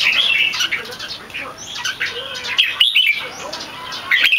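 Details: Red-whiskered bulbul kept for song competition, not yet in peak form, gives its loud keke: a continuous warbling, slurred whistles that rise and dip, with a steady high hiss throughout.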